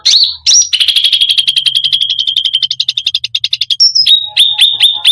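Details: Cucak rante delivering lively 'full isian gacor' song to provoke other birds: a long rapid rattling trill lasting about three seconds, then a high whistle and several sharp downslurred chips, over a faint low hum.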